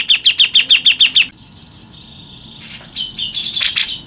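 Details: Local Grey-cheeked Bulbul giving a 'tembakan' shot phrase: seven loud, evenly spaced sharp notes in quick succession, then a thin sustained whistle and a few softer clipped notes near the end.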